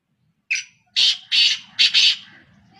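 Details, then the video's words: Black francolin, known locally as kala teetar, one of three birds calling continuously: a harsh, grating phrase of five loud notes, a short opening chirp followed by two rasping bursts and a quick double note, all fairly high and noisy. "Continuous Calls of Black Francolins"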